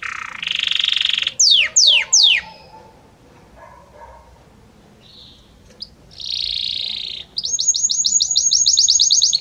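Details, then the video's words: Belgian canary with varied notes: a buzzy roll, three sweeping descending whistles, a pause, a short buzz, a steady rolled tone, then a rapid high trill of repeated notes. "Magnífico Como canta este Canário Belga!"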